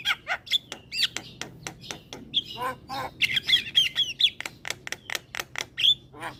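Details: Lively Javan myna in captivity, head bobbing as it sings: a string of sharp, irregular clicks broken by short whistled notes and a burst of harsh chattering in the middle.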